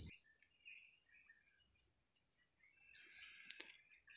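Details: A Blue-crowned hanging parrot near mangroves gives its near-call contact notes, the species' identity call: thin, shrill and high-pitched over a steady high whine, ending in a brief buzzy, scratchy burst.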